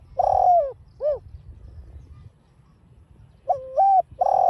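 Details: Spotted dove (cu gáy) calling in the giọng đồng pha style to stimulate caged birds: the tail of one phrase with its long falling coo and short end note, then a silent gap and a fresh phrase beginning.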